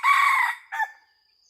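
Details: Red junglefowl crow heard during decoy-bird hunting: the tail of a long, loud sustained phrase followed by a short, clipped final note, then silence apart from a faint high insect tone.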